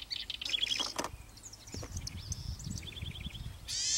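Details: House wren recorded in 2019 around Ansenuza, Córdoba, Argentina; brief high chirps and short rapid trills, a buzzy repeated note series near the end, with clicks and low background rumble.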